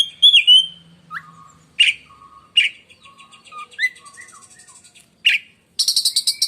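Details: Kept oriental magpie-robin singing loud and shrill, like a lightning strike: a bright whistled opening, low fluting notes, sharp harsh bursts, and a closing rapid high trill.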